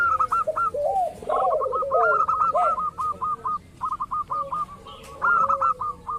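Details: Local zebra dove, used as a lure to draw other doves into calling: quick runs of clipped, hooked coo notes repeated in bursts, with lower warbling coos underneath and pauses between phrases.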